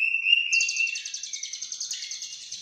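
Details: Lovebird song opening with a thin steady whistle, then breaking into a fast, even rattle of high buzzy chirps.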